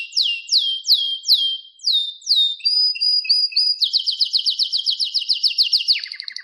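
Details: A canary's song opens with loud, slow descending slurred notes, moves to short whistled notes, then a rapid even trill of repeated chirps and a lower buzzy roll at the end.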